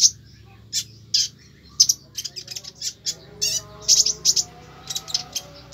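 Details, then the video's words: Loud konin burst song: sparse high chirps at first, then a dense, quick sequence of sharp, high notes. A low background hum is audible. "tembakan konin sadis"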